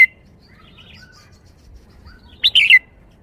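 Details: Caged red-whiskered bulbul in shaking-bottle song style: a single rich, quick warbled phrase with a descending ending after a quiet pause, faint soft notes in the background.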